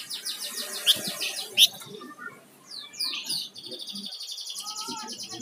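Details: Flamboyan songbird singing gacor: rapid trilled rattling notes and sharp chips, then downward-sweeping whistles leading into a long, even high buzzy trill.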